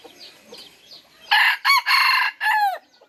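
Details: Third-generation (F3) red junglefowl crowing: after soft background chatter, a loud broken crow of four harsh, harmonic-rich bursts. The last segment is drawn out and falls in pitch.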